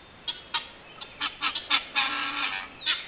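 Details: Guineafowl call, starting as spaced harsh barks that speed up into a longer rasping, churring stretch, then end with one more sharp note.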